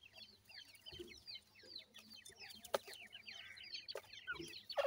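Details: Many grey francolin chicks give overlapping high, falling cheeps while playing, with occasional sharp taps and a brief louder squeak at the close.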